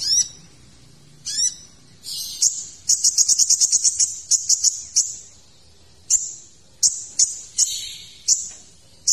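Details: Sunbird called kolibri ninja in a full, varied tutor song: two downward-sweeping stacked phrases, then a fast rattling burst of high chips and spaced sharp notes with thin trailing whistles.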